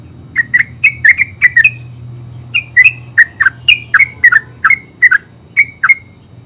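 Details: Terucuk (yellow-vented bulbul) ngeropel song: a rapid opening flurry of liquid chirps, a short pause, then a steady series of rising and falling whistled gurgles.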